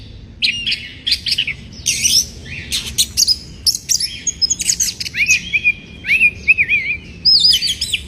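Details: White-rumped shama song, bird in breeding condition, used to provoke rivals: dense fast medley of sharp chips, rattles and warbled wavering whistles, nearly continuous over eight seconds.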